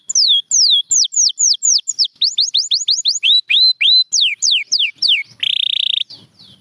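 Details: Canary song from champion birds including a Gloster canary: loud falling whistled notes repeated in series, quicker rising notes, then a short dense buzzy trill before a pause.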